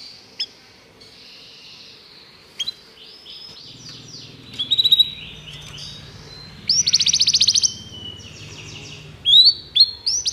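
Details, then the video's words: Canary song from a training recording for canaries: short scattered chirps, then fuzzy trills and a bright buzzy roll, with soft low background hum and quiet gaps. "O melhor canário canário para treinar seu canário"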